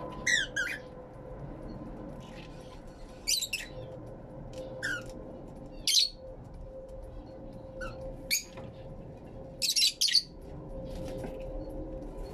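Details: Fischer's lovebirds kept in an aviary, captured with two external microphones: harsh, shrill high squawks and chirps in short bursts a few seconds apart, some doubled, over a steady low background hum.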